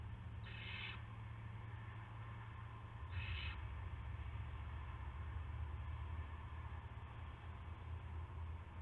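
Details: Owl at its nest early on 9 March 2016 as prey is brought: two coarse hissing screeches near the start, about three seconds apart, followed by only low background hum.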